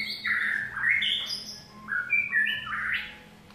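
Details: White-rumped shama singing rich whistled phrases that jump between high and low notes, some slurred downward, over a low steady hum.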